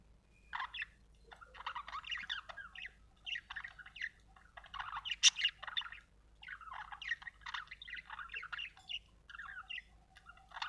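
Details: Budgerigar chirping: a busy chatter of short, scratchy warbled notes and quick chirps in bursts with brief pauses, harsh buzzy elements mixed with thin whistles, quiet background.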